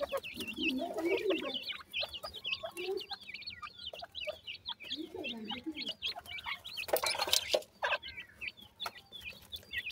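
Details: Evening feeding and play among francolin chicks: rapid, repeated high-pitched peeps, mostly downslurred and overlapping, with a lower soft chatter and loud scraping bursts.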